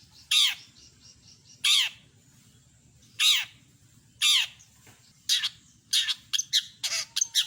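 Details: Long-tailed shrike, a master recording of its full song with mimicry. Four harsh, downward-sweeping rasps come at even gaps, then quicken into a run of short, sharp notes. A faint low hum sits underneath.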